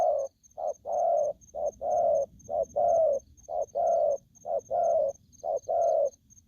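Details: An aggressive spotted dove repeats a low two-part coo, a brief note then a drawn-out husky one, in a regular rhythm roughly every second. A faint high-pitched ticking runs in the background.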